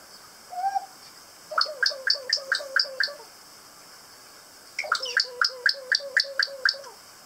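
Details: Kaka parrots on Stewart Island, New Zealand, giving two rhythmic series of rapid, ringing, nasal notes, about four per second, after a short squeaky note, with a pause between the series.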